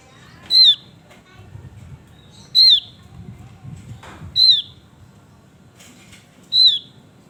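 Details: Male Javan grey-throated white-eye, lively singing: loud, clear whistled notes sliding down, each under half a second, repeated about every two seconds, with a faint low rumble underneath.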